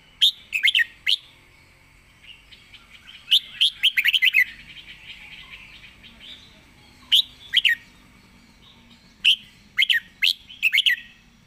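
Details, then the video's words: Red-whiskered bulbul song in a fast, rapid-fire style: bursts of sharp, bubbly whistled notes in quick clusters, separated by short pauses, with a faint warbling murmur between phrases. "สายเพลงโซนห้ามพลาด"ทีเด็ดเพลงโซนปากไว เพลงรัวๆ#เสียงนกกรงหัวจุก"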